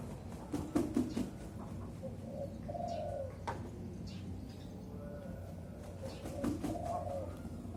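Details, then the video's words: Young spotted dove, four to five months old, caged and hoisted high on a pole during singing training. Low, soft coos come in short groups around three and five seconds and again near seven seconds. Faint knocks and background murmur are also heard. "Melatih DERKUKU MUDA di kerekan"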